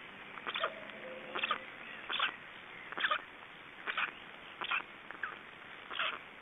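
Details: Estonian black storks after swallowing a big fish: short, harsh, broadband calls repeated roughly once a second in an uneven series. Faint low tonal notes sound underneath early on.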